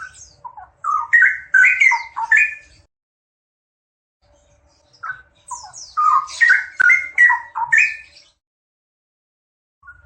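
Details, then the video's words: Two straw-headed bulbuls singing loud, liquid, gurgling phrases of mellow notes that leap up and down, each burst lasting about two seconds with a pause between them. "Sepasang Cucak Rowo Gacor"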